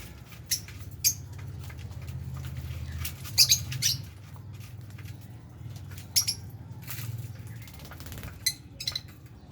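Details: Lovebirds kept with budgies, eating food, give short shrill squawks in scattered bursts, some doubled, over a steady low hum and faint pecking.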